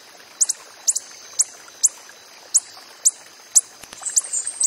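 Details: Wild coppery-headed emerald uttering thin, very high chips, some doubled, at roughly two per second, followed by a brief jumble of other high twitters.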